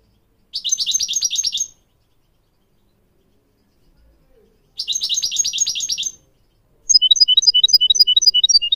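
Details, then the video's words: Goldfinch song played as a tutor recording for teaching young goldfinch mules and canaries to sing: two dense, buzzy high trills about a second long each, then a quicker run of sharp, bright whistled notes, silence between. "Teaching goldfinch mules and canary to song"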